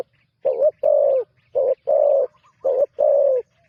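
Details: Newly trained spotted dove on its first outing for ground decoy work gives deep, loud coos in short-then-long pairs, three pairs about a second apart, with no other sounds.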